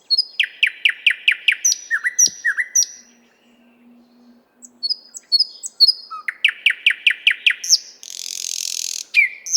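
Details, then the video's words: Nightingale in the 50th Anniversary of October park, Moscow, recorded on a RODE NTG-3 and ZOOM H6: fast repeated downward-sweeping notes, slurred whistles, a quiet gap with a faint low hum, then more rapid notes and a rasping buzz. "Соловей поёт"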